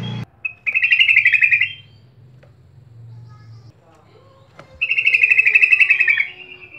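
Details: Sooty-headed bulbul used as a lure to get other bulbuls singing: two rapid, rattling chattering bursts of about one and a half seconds each, separated by a quiet gap with a low electrical hum.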